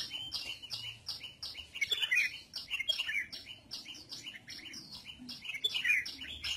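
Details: A red-whiskered bulbul, set out to sunbathe, gives lively, bubbly whistled phrases in quick bursts, with sharp chirps and other small birds twittering around it.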